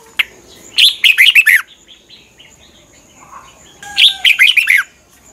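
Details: Red-whiskered bulbul song for training caged birds: two bright phrases of five or six quick, falling, slurred whistles, a couple of seconds apart, with a faint soft note between them.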